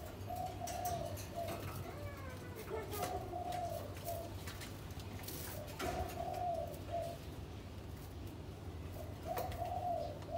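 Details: Captive spotted dove breeding pair, housed together for three days, preening one another and gathering nest material; mellow repeated coo phrases arrive every few seconds over a steady low hum indoors.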